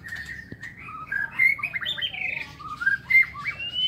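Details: Morning song of a White-rumped shama kept in an aviary: loud fluty whistles, some upslurred and some falling, strung into a continuous varied phrase, with a single sharp knock early on and soft low hum underneath.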